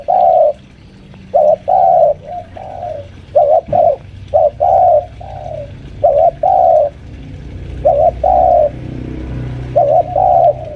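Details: Senior spotted dove lure bird, around five years old, at home, calling to press a rival: a steady run of low coo pairs, short note then longer one, about every one to two seconds.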